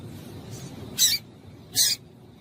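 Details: Two quick, harsh, high-pitched chips from a female double-collared seedeater, under a second apart. The call is used to excite males into song. Faint low noise continues behind.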